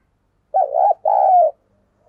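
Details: Spotted dove kept as a lure, cooing to draw wild doves; a low hollow two-part coo, a short wavering note followed by a longer steady one, clean with no other sounds.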